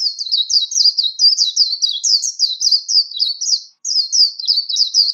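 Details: Competition-style song of a Warbling white-eye used for voice training: continuous high, fast twittering of repeated slurred notes for about four seconds, a brief break, then more; clean recording without background noise.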